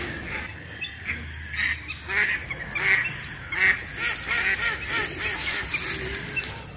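Several ducks give nasal, honking quacks in overlapping bursts, more than one a second, over a steady high outdoor hiss.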